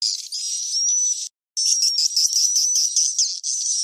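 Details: Swiftlet roosting call from a cave, used to lure birds in swiftlet farming: rapid, high thin twittering chirps run almost without pause, broken by one short silence near the start.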